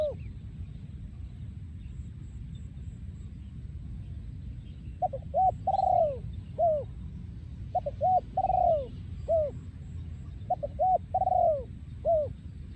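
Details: Spotted dove breeding male from 2023 delivering โยนคูอ่าง-style song. About five seconds of low background hum, then three phrases of quick stuttered notes, each ending in a long sliding coo, with faint chirps from other birds.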